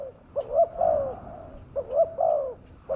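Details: Spotted dove lure call to bring wild doves in: two phrases, each a quick rising double note followed by a long, smooth, slightly falling coo, clear over a quiet background.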